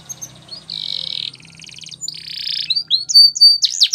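A Belgian canary sings a fast, high song of buzzy rolled trills and sharp chirps, with quick rising and falling whistled notes near the end.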